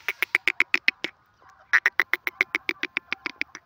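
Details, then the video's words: Francolin (teetar) giving rapid harsh clucking notes, about eight per second, in two bursts separated by a brief pause. "teetar ki awaaz"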